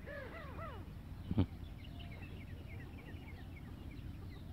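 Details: Houbara bustard, at a farm where males and females are gathered in a cage, gives three or four quick, hoarse, arched notes at the start. A sharp thump follows, then faint high chirps of small birds over a low rumble.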